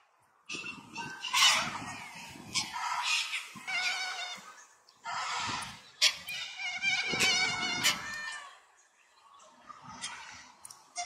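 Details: White cockatoos (Cacatua alba) wrestling and fighting with each other give harsh, grating screeches in long rasping bursts of one to three seconds, broken by brief pauses and softer hissing squawks.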